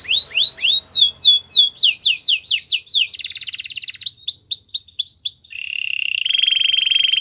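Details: Belgian canary warm-up training song: repeated descending whistled slurs, a fast buzzy roll, rising sweeps, and a long sustained trilled tour at the end.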